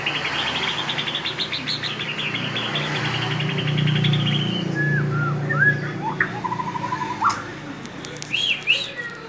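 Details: White-rumped shama giving a long, high, rattling trill, followed by scattered slurred whistles and a brief buzzy phrase, over a low rumbling hum.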